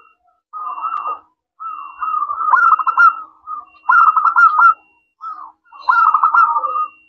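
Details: Local zebra dove, a lively singer with a clear 'crystal' voice, used as a lure so other doves answer. Four rolling, purring coo phrases separated by short pauses, with a faint steady high tone in the background.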